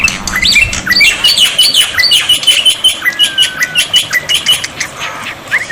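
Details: Black-winged myna tutor recording: quick phrases of clear whistles and rasps in repeated bursts about twice a second, with one long, gently falling whistle in the middle.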